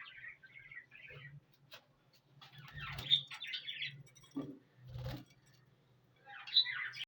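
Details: Several household parrots chattering in raspy, chirpy bursts with a few louder squeaks and gaps of quiet, a low hum and occasional bumps in the background.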